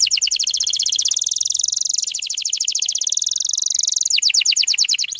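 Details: Canary song for training young canaries to sing: dense rapid trills that shift tour every second or two, ending in slower, looping repeated notes.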